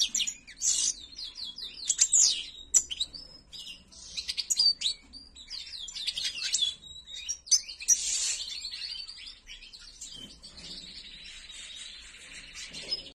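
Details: Owned European goldfinch of the white-throated (ak gerdan) type in long continuous song, a jangling mix of sharp chirps, buzzy rattles and high squeaky whistles that fades to softer twittering toward the end.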